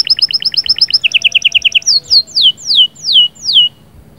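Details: Canary song to excite a female for breeding, in 'sahsahat' and 'batbatat' style: quick paired chirps repeated steadily, a lower run of rounded notes, then five slow, loud whistles that slide downward one after another before the bird falls silent.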